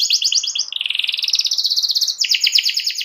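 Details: Canary singing vigorously to provoke a rival into singing too: rapid buzzy trills switching between high and lower pitch bands, a long unbroken rolling trill in the middle, then sharp repeated notes.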